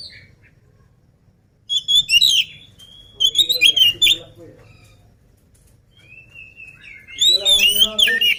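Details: An oriental magpie-robin, not yet fed and singing vigorously, delivers short bursts of sharp whistles and chattering trills between quiet gaps. A long sliding whistle precedes a final, loud tumbling phrase.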